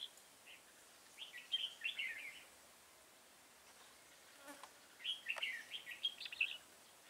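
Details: Red-whiskered bulbul used as a decoy to trap an old wild bulbul, singing in competition, recorded 24 September 2018 in Vietnam; two bursts of quick warbled, bubbling phrases, each lasting about a second, with a quiet pause between them.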